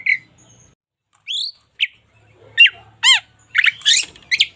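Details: Local Indonesian white-rumped shama singing for song training: separated notes, a rising whistle, then ladder-like descending tones and a closing burst of rapid harsh chips.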